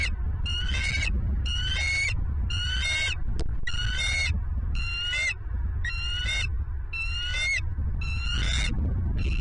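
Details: Bald eagles at a nest in Southwest Florida, filmed by a nest camera on 27 November 2022 near 10 am: a rapid series of high, harmonic chattering notes, repeated roughly every half second, over steady low wind rumble.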